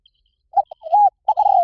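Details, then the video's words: Part of a spotted dove call played to lure wild doves: short clipped notes, a smooth rising-falling coo, then a long quavering coo trailing down, clean background. "เสียงนกเขาใหญ่ เสียงต่อ..ที่นกเขาป่าชอบมาก เข้าเร็วจริง"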